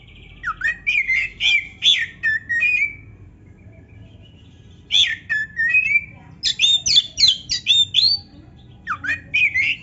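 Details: Oriental magpie-robin in full song, meant to stir a lazy bird into answering; groups of loud sweeping whistles mixed with rapid chattering notes, separated by pauses of up to two seconds.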